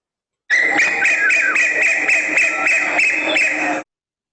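A female Asian Koel gives a rapid, shrill run of sharp 'kik' notes, about four a second, sustained for over three seconds.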